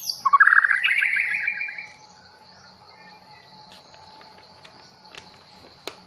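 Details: White-rumped shama of the long-tailed Bahorok type, just brought from the forest, giving a loud, rich, rising warbled burst lasting about two seconds, followed by quiet with faint clicks and a steady hum.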